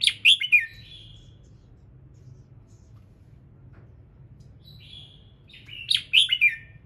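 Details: Red-whiskered bulbul singing in the morning, used to trigger other birds to sing: two bursts of sharp, clear whistled notes sweeping down from high pitch, with a softer whistle between them, over a low steady hum.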